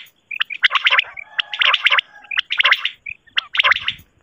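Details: A Common quail (batair) in Pakistan, recorded for quail hunting and possibly a female, calls in four rough, gargled bursts about a second apart, each opening with a clear high note and followed by quick chirps.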